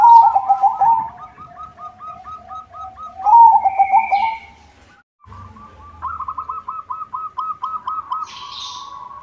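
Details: White zebra dove (perkutut putih) kept as a singing bird, its song meant to lure other zebra doves: bursts of rolling coos alternate with evenly repeated soft cooing pulses, with a pause in the middle; brief high chirps from another bird.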